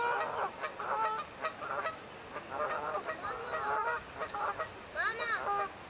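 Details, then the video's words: Swans with day-old cygnets, 9 May 2024, recorded by phone: dense chorus of short honks and chattering calls, one upward-sweeping call near the end, soft background hiss. "First day of #baby #swans"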